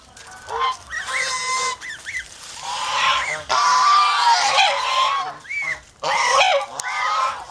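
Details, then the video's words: Guarding farm geese in the Philippines give clear upturned honks at first, then a long harsh screeching honk, ending with separate short arched honks. "ang Piso na Gangsa with over protective minions"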